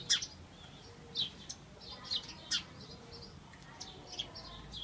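House sparrows give short, bright chirps, irregularly spaced about every half second to second, with a faint low background hum.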